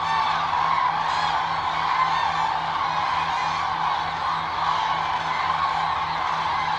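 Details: Eurasian crane flock at its wintering site in Israel's Agamon Hula Valley beside the Jordan River, December 2022: unbroken massed trumpeting from many birds at once, steady throughout, with a faint low hum.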